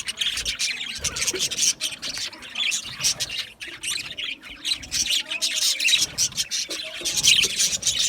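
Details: Group of budgies keeps up a busy, continuous chirping chatter: fast squeaky twitters, harsh little squawks and warbled notes layered over one another, swelling louder near the end.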